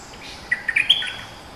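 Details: A fierce, territory-holding bulbul (local name nok dok taeng), used as a lure singer, gives a short burst of bright, clear whistled notes, rising then dropping, in a quick phrase of about four notes.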